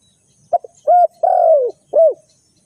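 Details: Low, throaty coo phrase from a spotted dove used for bird trapping: two quick clipped notes, a hollow coo, a long coo that sags downward, then a final rounded note.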